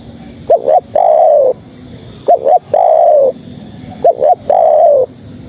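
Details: Spotted dove female calling for males: three regular phrases, each two brief hooked notes and a long soft coo that sags slightly, spaced about two seconds apart.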